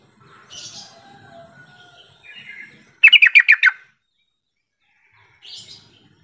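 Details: Lure call of a Sooty-headed bulbul, meant to prompt other birds into answering: a single burst of six fast, bright chirps, with soft twittering from other birds before it and a faint note afterward.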